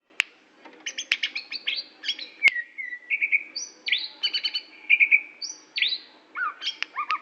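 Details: Greater green leafbird from Aceh singing a lively, varied song of clear whistled notes, quick rising and falling slurs and short buzzy chatter, delivered in rapid bursts with brief pauses, with no other sounds.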